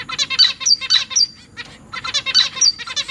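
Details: Young captive zebra finches, among three juveniles and three newborns, clamouring as parents bring food: fast stuttering, harsh buzzy notes in two long frantic runs split by a brief lull, high-pitched and loud.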